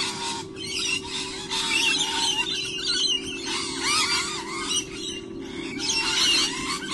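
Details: Very noisy lorikeets recorded 15-10-11 at 15:06 screech and chatter in a dense, overlapping flock, with shrill squawks and rapid buzzy notes that never let up.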